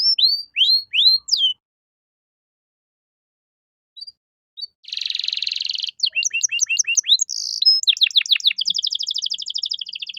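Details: Canary master song for tutoring songbirds, cengkok mewah style: four slurred whistles, a two-second pause with faint clicks, then a harsh buzzy burst, quick chopped notes and a long fine rolling trill.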